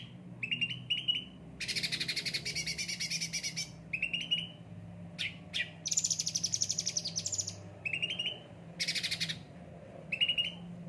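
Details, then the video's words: Frequently pampered cage cucak ranting in full song: short trilled notes interleaved with loud, broad, harsh rattling bursts and a pair of sharp clicks, repeating across eleven seconds. "gacor cucak ranting"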